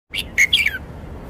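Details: Red-whiskered bulbul in Thailand showing off its song phrasing: a quick phrase of three bright whistled notes, the last sliding downward, against a quiet background.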